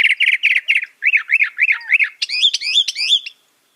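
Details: Northern mockingbird singing: a run of five quick buzzy chirps, then four rising-falling whistled arcs, then a burst of sharp upslurred notes, each phrase type repeated several times before switching.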